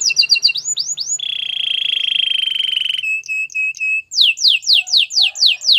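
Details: Canary song for training: quick looping notes, then a long fine rattling trill, a set of short clear whistles, and a series of strong downslurred chips repeated about twice a second.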